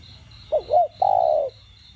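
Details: A single spotted dove phrase used to stimulate captive doves: two short bending hoots followed by a long, level coo that slowly falls away, against a soft, pulsing high-pitched background.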